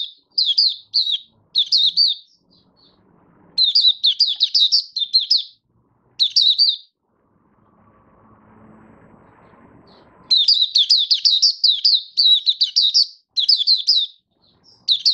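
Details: Caged Malaysian Oriental white-eye sings open 'buka' song in long sequences of rapid high warbled notes, pausing once amid soft low rumble before a sustained, dense run of twittering phrases.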